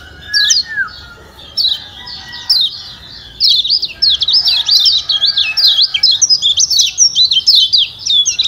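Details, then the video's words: Lombok white-eye (kecial kuning) 'ciak ciak' call: scattered single chirps at first, then a steady run of rapid high twitters, used as a stimulant for birds that will not sing. "Ciak Ciak Kecial Kuning Joss Perangsang Ampuh Bikin Kecial Malas Bunyi Jadi Gacor‼️"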